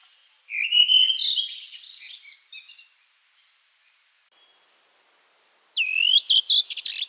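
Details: Redwing singing: a clear whistled phrase rising and then falling, trailing into a soft scratchy twitter. After a pause of about three seconds a second sharp descending whistle breaks into rapid clipped chirps.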